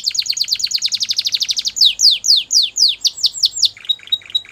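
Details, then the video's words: White Belgian canary song: a very fast rolling series of high notes, then slower loud downslurred sweeps, finishing with short clipped repeated notes; faint low hum behind. "White Canary Singing | Belgian Canary"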